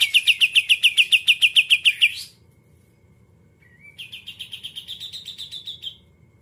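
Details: Greater green leafbird (cucak ijo) singing the 'muntah isian kapas tembak putar' style. A quick run of about fourteen sharp, bright, evenly spaced notes lasts two seconds, then a pause, then a softer rising buzzy series of repeated notes.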